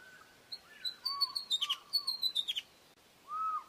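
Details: Osprey (Pandion haliaetus) gives two quick runs of sharp, high-pitched whistled notes, each slurring downward; lower, softer slurred whistles from another bird sound beneath.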